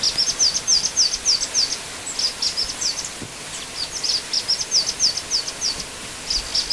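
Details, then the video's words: Black-winged flycatcher-shrike master recording: thin, very high chirping notes in quick runs of four to six, each note dipping then rising, with short pauses between bursts over a faint background hiss. "Suara Jingjing Batu"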